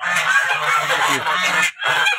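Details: Flock of domestic geese, fed wheat by hand, honks loudly in harsh overlapping calls as a large male is caught and held, with a brief pause before the clamour resumes.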